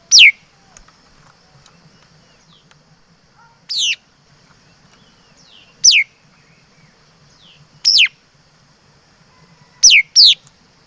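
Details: Laughingthrush song of sharp, downward-sliding whistles, singly or in quick pairs, repeated every two seconds or so, with soft faint chirps and a low hum between phrases.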